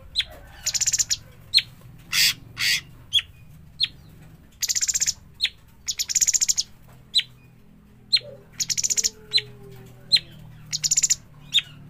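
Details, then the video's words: Juvenile sooty-headed bulbul (cucak cungkok) alternating short, sharp downslurred chirps with buzzy rattling bursts of rapid pulses. Some longer harsh notes are mixed in, all repeated steadily over about twelve seconds against faint background hum. "burung cucak cungkok trotolan"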